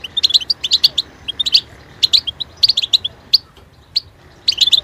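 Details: European goldfinch song used to train kept birds: rapid bursts of high, tinkling twitters and chirps, clustered notes broken by short pauses, over a soft background hiss.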